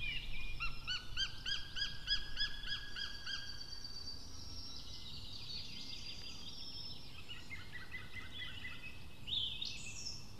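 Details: White-tailed eaglet calling from the nest area in Finland, 25 June 2016, around 20:22: a series of high, thin, repeated chirping notes in quick bursts during the first seconds, then softer overlapping calls and a brief louder note near the end, over low rumbling background.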